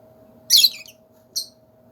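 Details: A lovebird in a large bird cage lets out a sharp, piercing squawk followed a moment later by a shorter, thinner shriek; a faint steady hum runs underneath.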